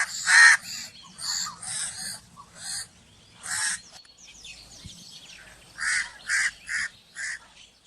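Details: Crow cawing repeatedly in two series of harsh, raspy calls, the first burst irregular and loud, the second four evenly spaced caws, with faint bird chirps between.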